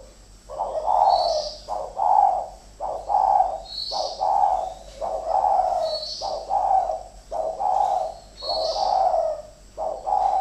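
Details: Pair of decoy spotted doves in a fight, calling rapidly back and forth: about nine throaty coo phrases follow almost without pause, each with a stuttering start and a fuller hooting end, plus soft high chirps.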